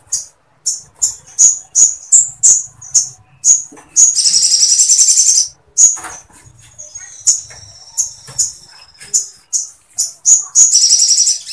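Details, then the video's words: Sooty-headed bulbul in continuous song, copying Sampit woodpecker material: a run of sharp, high single chips spaced roughly every half second, broken by two longer buzzy rattling trills, with faint low rumbling underneath. "SOGON GACOR NGLEPER FULL MATERI PELATUK SAMPIT"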